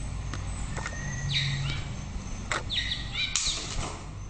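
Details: White-rumped shama giving short bursts of song: a few thin whistles, then two brief clusters of quick high descending notes separated by pauses, against low rumble.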